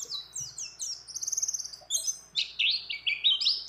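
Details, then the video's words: Breeding-condition female mountain white-eye calling a male, mixed with other birds' phrases: high descending slurs, a fast ticking trill, then loud, jumbled warbling twitters. "Pleci Gacor Ngecir Ngeroll Nembak Dengan Isian Banyak Burung Lain"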